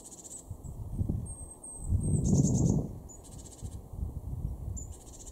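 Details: Garden great tit in Weener, East Frisia, Germany, January 2023, giving high thin notes and buzzy scolding churrs at intervals, partly masked by a loud low rumble swelling midway.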